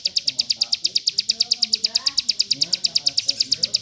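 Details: Dense burst from a hill prinia kept for tutoring other birds: about thirty piercing high notes rattled out evenly at roughly seven a second, unbroken, over a soft low background.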